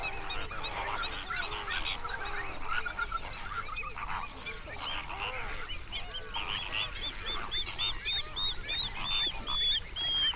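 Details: Hundreds of flamingos calling on a lake in an Overberg national park, South Africa, recorded binaurally at sunrise. A dense honking chorus, joined later by a run of high, sharp, rapidly repeated arched notes.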